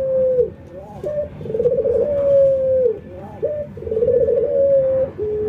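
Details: Ringneck doves, an albino white bird versus a local one, in a training session while nodding and laughing; two low coos, each a short rising note followed by a long, rolling, steady coo that drops at the end.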